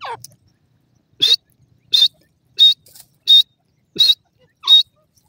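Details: Grey francolin calling, six short, sharp, high-pitched notes repeated at a fairly steady rhythm of about one every 0.7 seconds, each with a faint lower click; otherwise quiet.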